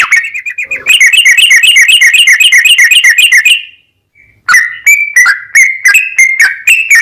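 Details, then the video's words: Sooty-headed bulbul in full song, a long rapid 'ropel panjang' style used as a lure to draw replies from other bulbuls. A fast, even trill of bright notes for three seconds, a brief pause, then loud, separate whistled chirps. "TRUCUKAN GACOR ROPEL PANJANG Buat PAncingan TRUCUKAN agar Bunyi"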